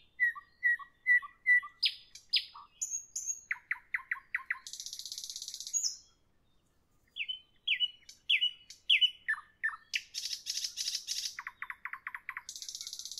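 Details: Nightingale in the evening delivering a rich varied song: a series of level piping notes, rising and falling whistles, harsh buzzing rattles, a short silence, then more whistled series and rattles.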